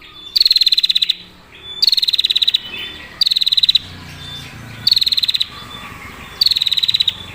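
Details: Five short buzzy trills from a female prinia, a lure call, spaced about one and a half seconds apart, each a dense run of rapid pulses over a faint low hum.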